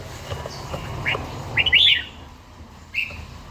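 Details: Older red-whiskered bulbul kept in a cage, in morning song practice, with a wild-sounding voice. A quick cluster of bright warbled notes rises out of a steady hiss, followed by a single short whistle.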